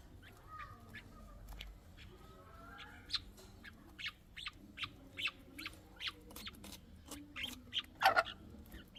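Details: Chukar partridge chicks peeping: thin, high chirps come in an uneven series, growing louder and closer together toward the end, with a soft lower hum in the background.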